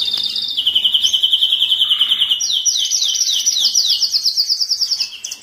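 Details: Canary song used to excite males and ready females for mating: a steady high whistled tone drops into a rapid rolling trill, then a run of quick descending sweeps repeated several times a second.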